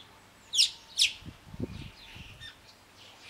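Alpine chough giving two shrill, high, rippling calls half a second apart, then fainter distant calls, with low thumps and rumble underneath.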